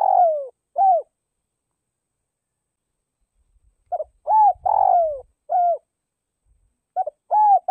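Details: Spotted dove serving as a decoy for luring wild doves: falling coo and arched coo, silence, then stuttered notes, arched coo, long rough downslurred coo and arched coo, with a new phrase beginning; slight low rustling.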